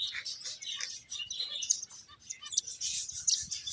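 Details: A short burst of finch chatter: many quick, squeaky high chirps pile up in a nearly unbroken stream as the birds play.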